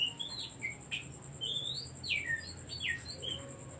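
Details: Oriental magpie-robin song meant to stir other caged birds into singing, a lively run of loud sweeping whistles, rising then falling slurs packed closely together, with a steady high electronic whine beneath.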